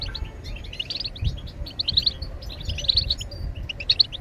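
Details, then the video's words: European goldfinch twittering continuously in high, quick chirps with a few brighter notes, partly masked by loud low-frequency background noise. "بتبتات الحسون لتحفيز الطيور على التغريد"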